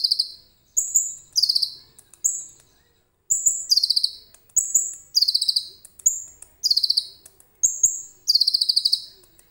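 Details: A common iora in full song, including cililin-type material, used as a lure: bright, very high phrases of a clear whistled note, then a quick falling buzzy trill, repeated about every second with brief pauses.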